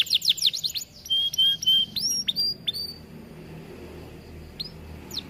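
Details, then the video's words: Aviary Atlantic canary singing vigorously as a training song: a burst of quick sweeping notes and short level whistles over about three seconds, then near quiet with a few isolated high chips. "Kenari gacor cocok untuk masteran"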